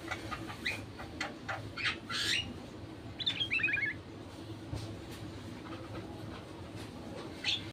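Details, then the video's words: Sooty-headed bulbul song meant to draw other bulbuls into singing: a single bubbly phrase of fast descending notes in the middle, with noisy clicking and rustling throughout. "Suara burung kutilang untuk memancing burung kutilang lain jadi gacor"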